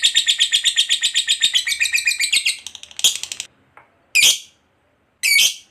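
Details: Lovebird of fighter type giving long ngekek chatter, used to prompt other lovebirds to sing: a fast run of harsh, rattling pulses for about three seconds, then several short, loud squawk bursts with gaps of silence between.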